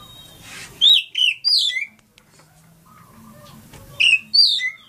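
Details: Lampung Oriental magpie-robin (kacer) song: clear high whistled notes dropping and rising in quick clusters, a pause with a faint low hum, then another whistled burst near the end.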